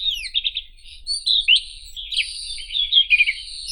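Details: White-throated robin singing a rapid, varied run of scratchy, warbling notes with sliding whistles, phrases tumbling into one another for nearly four seconds against a quiet low rumble.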